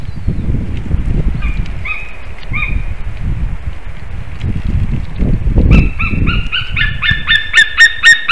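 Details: White-tailed eagle pair at a nest in Slītere National Park, Latvia, on 1 May 2021 around 3:23 PM, during a nest visit and mating, from a live nest camera. Rumbling wind noise, then a quickening series of sharp yelping notes.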